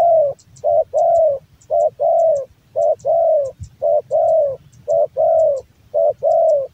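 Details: Male Javan spotted dove in a hobbyist's keeping, delivering rhythmic paired coos, a clipped note followed by a fuller descending one, about once a second for seven phrases. Crisp high ticks and low rumble run beneath.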